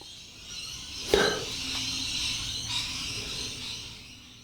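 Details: Rainbow lorikeets outside a building in December 2020, a flock calling wildly: constant harsh, shrill screeching chatter, with one sharp knock near the start.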